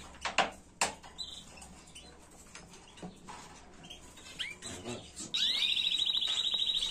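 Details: Canary tutor song, recorded in 2022 to teach young birds a song without errors: scattered clicks and short upswept chirps, then a fast, even rolling trill of rapidly repeated high notes holding steady to the end.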